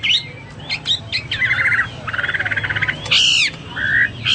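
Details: Hwamei singing vigorously ('gacor'), a varied loud song of short upslurred notes, a dry rattling trill, a harsh buzzy burst and sweet whistled phrases in quick succession.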